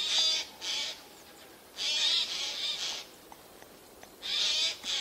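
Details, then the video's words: Hidden Eurasian jays in spruces, September 2024; hoarse, buzzy screams delivered in clusters of two to three, with a lull of about a second between clusters. "Голоса соек"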